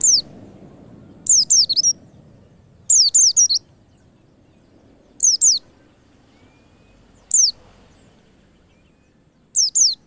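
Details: White-eyes heard on a lure recording for quick singing: clusters of two or three piercing, high, downward-slurred notes repeated at uneven gaps, with a faint low rumble at the start.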